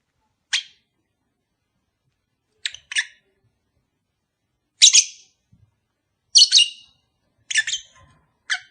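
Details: Lovebird chirps meant to coax a pair of kept birds into mating: scattered short, piercing, scratchy calls, some in quick doubles, spaced irregularly over several seconds in otherwise quiet surroundings.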